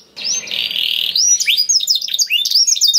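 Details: Canary song meant to trigger other canaries' singing: a buzzy sustained trill followed by quick varied whistled notes and chirps, with faint low background noise.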